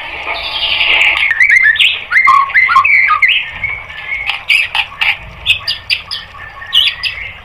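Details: A white-rumped shama in a training recording for caged birds opens with harsh, grating chatter, then delivers sharp whistled and clicking notes repeated a little faster than twice a second.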